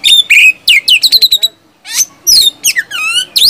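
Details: Oriental magpie-robin singing to draw quiet caged birds into song: quick chattering bursts of short notes, a brief pause, then sweeping whistles and a long falling slur.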